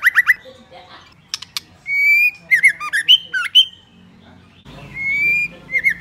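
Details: Female white-rumped shama singing to stimulate males: loud whistled notes around a mid-high pitch, short sharp rising phrases, a sustained flat whistle, then looping slurred notes, with faint low background hum.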